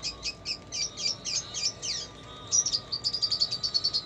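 A red siskin sings a quick, high twitter of sweet chirps that runs into a fast trill of repeated notes. A faint steady hum sits underneath.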